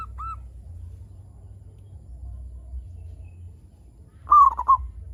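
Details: A local zebra dove, called a gacor (prolific) singer, recorded for use as a lure to set other zebra doves calling: one soft curved coo, a pause, then a quick stuttering burst of three warbled coos over a low steady hum.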